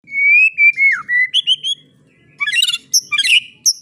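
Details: Tutor recording of white-rumped shama song for young spotted birds: a long slurred whistle sliding downward, a few short notes, a pause, then a burst of scratchy high chatter.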